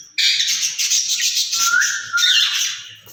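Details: Two caged rose-ringed parakeets talking to each other: a dense, continuous harsh screeching squawk with a level whistled tone running through its middle.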